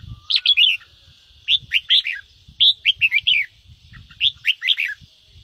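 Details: Red-whiskered bulbul delivering ché song meant to excite other bulbuls: four quick phrases of three to five sharp, bubbly whistled notes, each phrase about a second apart, over soft low background rumble.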